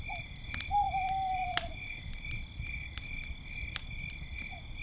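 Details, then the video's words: A nighttime owl near a crackling campfire gives one long, level whistled hoot that slowly drops in pitch, framed by short faint notes, while crickets trill continuously and the fire pops. "campfire night sounds - with owls and crickets"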